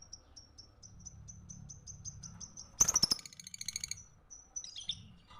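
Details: Lovebird song recorded to tutor other birds: a long string of thin, high, regularly spaced pips, then a sudden loud ringing burst of rapid chirps and a few scratchy squeaks.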